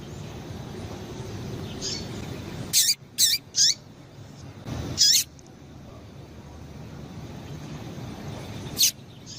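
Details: Calls of a female rusty-collared seedeater, used to stir males into singing: a burst of three or four high, sharp chips in quick succession, one more a second later, then a single note after a long pause, over steady faint hiss.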